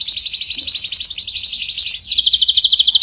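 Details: Canary singing an even, rapid trilled tour of high notes. Around the two-second mark it shifts slightly lower and keeps rolling.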